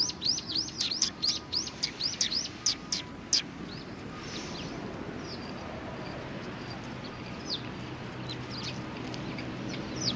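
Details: Sparrows at a Tenmangu shrine in Japan, 1 February 2020, open with a rapid burst of loud, high chirps for about three seconds. Fainter, sparser calls follow over a low background murmur.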